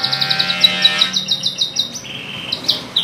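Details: Canary singing: a fast run of bright, evenly spaced high notes, then a long steady whistle and a few sharp rising chips, with a faint low hum underneath.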